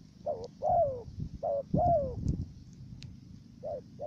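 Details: Decoy dove used for trapping wild doves in Cà Mau, Vietnam, giving a stuttering coo at the start of its phrase: short, low, hollow cooing notes in uneven pairs, some slightly falling, over a low rumbling background.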